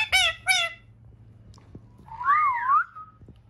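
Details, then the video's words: Green pet ring-necked parakeet, described as friendly and talking: two short, harsh, rich squawks in quick succession, then a pause and a wavering whistled phrase that rises and falls before fading, with faint low hum behind. "Friendly parrot 🦜 🤗❤️|green parrot |talking |ringneck parrot"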